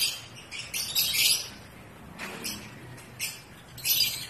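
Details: Pet African lovebirds, breeding season, chatter in harsh high chirps, with a dense burst early on, then scattered short squeaks and a final loud squawk.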